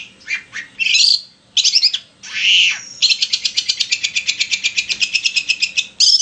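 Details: Long-tailed shrike answering a played recording of another shrike: harsh scratchy phrases and a wheezy slurred note, then a long, even, rapid rattling trill lasting about three seconds.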